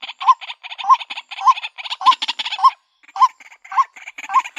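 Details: White-breasted waterhen, a female calling to attract a mate, giving fast repeated croaking phrases with a clear hooked note in each, a brief pause, then the rhythm resumes.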